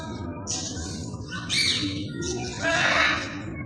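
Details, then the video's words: Macaws in Sharjah giving harsh, broadband squawks, with loud bursts near 1.5 and 3 seconds. Softer raspy notes fall between them over a low background murmur. "Funny Macaws"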